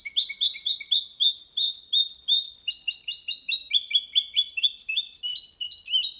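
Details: Malaga-style song from a goldfinch and canary hybrid, sung without errors as a training model for young birds: a continuous stream of bright, high chirps and quick trills, the phrases changing every second or so.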